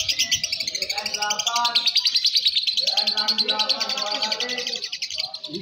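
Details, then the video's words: Young (balibu) fighter-class lovebird singing during a bird-song competition: a long, loud, buzzy high trill of rapid pulsing notes running almost without pause, with softer lower chattering and background noise from the contest. "Suara Burung Loverbird Fighter M1, M2 Balibu Saat Lomba"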